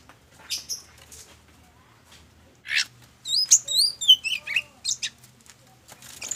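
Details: Lure song of an oriental magpie-robin (kacer) performing ngobra: a few scattered chirps and a pause, then a loud run of high, wavering, looping whistles and quick notes.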